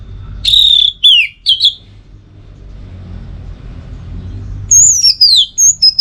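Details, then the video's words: Orange-headed thrush song used as a master and lure recording: a strong descending whistled phrase with rapid notes, a pause with low background rumble, then a run of high downslurred whistles. "Masteran sekaligus Pancingan Burung ANIS MERAH Agar Selalu Bisa Menikmati Telernya setiap saat"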